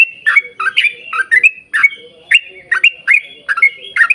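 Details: Yellow-vented bulbul in long, rapid 'ropel panjang' gacor song, used to lure other bulbuls into singing: bubbly, gurgling whistled notes that dip and rise, delivered in quick bursts about every half second over a quiet background.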